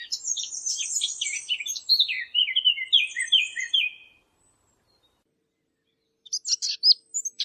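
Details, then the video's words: Eurasian blackcap, recorded in high clarity for hunting callers: hurried scratchy warbling that flows into several loud, clear, downward-sliding flute-like whistles, a silent gap, then a few sharp high notes. "نصف ساعة من صوت التيان او عصفور التين للاجهزة ومكنات الصيد -عالي النقاء-"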